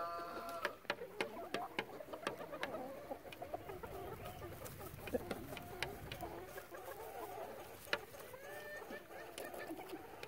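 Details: Relaxed chickens murmur continuously, many overlapping soft warbling calls and scattered sharp clicks forming a steady, gentle flock chatter for ten seconds.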